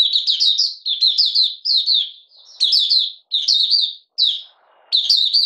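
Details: Malaysian Oriental white-eye in minor moult, just beginning to sing, 31 July 2023: dense high twittering phrases repeated about every second, each a jumble of quick slurred notes, with short silences between.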